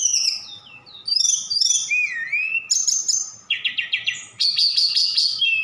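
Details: Javan bush lark from Sukabumi delivering a song full of borrowed cililin and sikatan londo phrases: twisting high whistles, a wavering mid-pitched slur, then a fast series of about six clipped repeated notes and a rattling trill.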